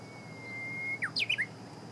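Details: On 6 June 2017 near 8 a.m. a Japanese bush warbler sings a long flat whistle that swoops down, then an emphatic burst of three or four bright, slurred notes; steady hiss underneath.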